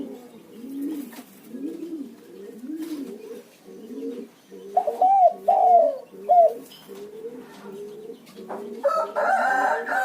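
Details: Lure call of a spotted dove to set other doves calling: regular low coos throughout, a louder three-note cooing phrase in the middle, ending in a burst of rustling noise.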